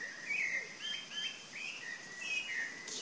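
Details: Short burst of chalk-browed mockingbird song: a chain of quick slurred notes, rising and dropping in turn, with a steady hiss behind.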